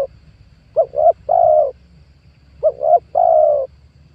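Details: Lure spotted dove for attracting wild doves, calling two clear phrases, each of two brief soft coos followed by one longer, steady, husky coo, about two seconds apart, over a faint low rumble in an otherwise quiet recording.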